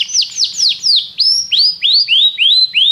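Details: ['Singing canary repeating loud, clear swooping notes, first falling then arching upward, about three per second, bright and high-pitched with no other sounds.']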